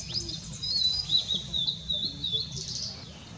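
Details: Blue-and-white flycatcher recorded on 6 May 2016, singing a high warbled phrase of quick slurred whistles and short trills, sweeping up and down over about three seconds, with faint low background rumble.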